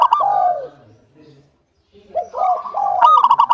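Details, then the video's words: Local Indonesian zebra dove singing actively as a lure to prompt other doves to sing: a rapid stuttering coo phrase with falling slurred notes, a pause of near silence, then another burst of quick rolling coos. "PANCINGAN PERKUTUT LOKAL SUPER GACOR UNTUK PANCINGAN PERKUTUT AGAR CEPAT BUNYI"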